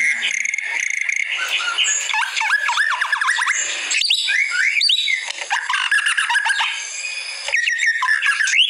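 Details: Masteran training recording of white-rumped shama song: clear whistled phrases with fast looping slurs, alternating with harsher buzzy bursts and short upward sweeps, continuous and loud throughout.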